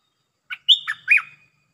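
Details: Red-breasted parakeet used as a caged decoy to call down a wild territorial resident bird: a short phrase of three or four clear, bending whistled notes, one long high note sliding into two lower dipping notes, with no background sound.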